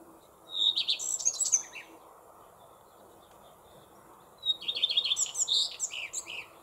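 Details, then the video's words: Common redstart song, rarely heard: two bursts of high, rapid twittering and sweet warbled notes with short slurred whistles, each about a second long, separated by a three-second pause, over steady low background hiss. "ROUGEQUEUE à front blanc, chant"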